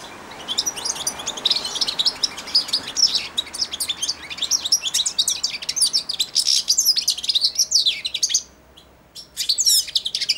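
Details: Caged four-month-old young European goldfinch singing subsong while perched at and on a hand offered for daily feeding; a dense, rambling run of high twittering, buzzy and tinkling notes with a brief pause near the end.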